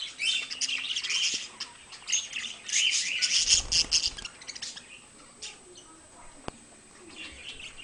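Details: Pair of pet parakeets: bursts of fast, harsh chirping and scratchy warbles, loudest in the middle, then quieter, sparser chatter with a sharp click.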